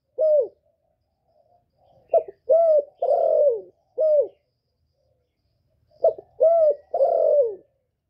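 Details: Spotted dove singing in 'giọng thổ' voice to stimulate males: two clean coo phrases, each a clipped short note, two rounded coos, then a longer falling coo, separated by about two seconds of silence.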